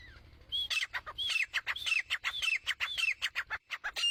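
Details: Female grey francolin (teetar) calling: repeated ringing notes that rise then drop, mixed with sharp clicking chips in a quick, uneven rhythm.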